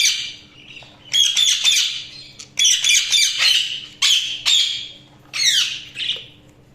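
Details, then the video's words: Pet budgerigars chirping indoors: bursts of harsh, scratchy squawks and rapid chatter, repeated in short bouts of about a second with brief pauses between, plus a faint steady low hum. "Budgies Sounds| Budgies Chirping sound"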